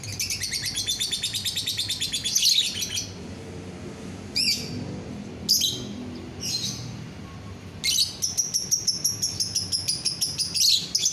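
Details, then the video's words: Caged lovebird song meant to prompt other lovebirds to sing: bursts of rapid high chattering trills separated by short sharp chirps and pauses, the final stretch a steady pulsed rattle, over faint low room noise. "DENGAR SESAAT SAJA, bikin lovebird yang lain ikut bunyi"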